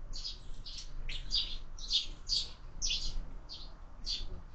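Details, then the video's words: Sparrows feeding at a window-mounted feeder at breakfast time, with year-round feeding; sharp high chirps repeat roughly twice a second in an even run against a faint low rumble. "Воробьи в кормушке"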